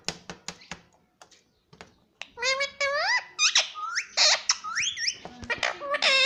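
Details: Pet Indian ringneck parakeet indoors in a small room: a few dry taps at first, then loud squeaky harmonic calls with rising and arching pitch, uttered in quick bursts.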